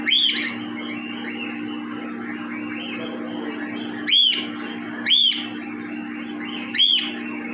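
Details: Cockatiel in an aviary giving four loud, short, arched whistled calls at uneven intervals, over a steady low hum and quieter background chatter.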